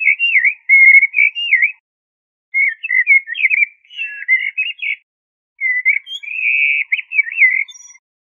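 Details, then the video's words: Clear, pure-toned blackbird whistles strung into three phrases, the notes swooping and looping in pitch, with quick twittery passages and short silences between phrases. "تغريد طائر الشحرور ( جحمومية - الزرياب ) Turdus merula"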